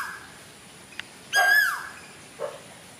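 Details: Cuckoo singing in Sri Lanka in June 2024: a single loud whistled note that rises briefly and then slurs downward, followed by a softer low note about a second later, against a faint steady hum.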